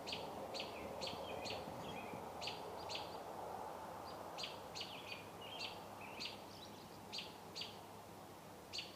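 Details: Birds calling loudly off a deck in Metchosin, B.C.: quick high chirps in bursts of two to four notes, some with brief trills, with pauses between groups, against a constant low background hum.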